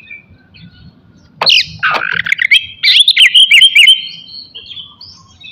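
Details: Oriental magpie-robin (kacer) morning song used to excite aggression and breeding urge in others: a harsh, buzzy opening burst, then a fast sequence of bright whistled notes, trailing off into quiet.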